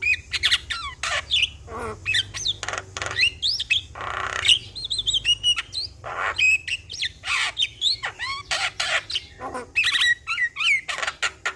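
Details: Javan myna in continuous song as a lure for a stressed bird: long busy stream of clipped chirps, harsh rasps and curved whistles, closely spaced and tireless.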